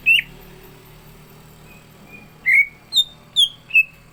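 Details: Orange-spotted bulbul (cucak ijo) singing fully ahead of a singing contest: an opening sharp whistle, a soft pause, then four loud slurred whistles, the later ones starting high and falling.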